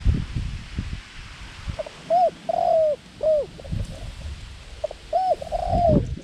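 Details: A captive Thai dove with white claws and a small voice, kept as a decoy for ground trapping, gives a short series of soft, mid-pitched arched coos, some drawn out, with low rumbling bumps and faint background noise.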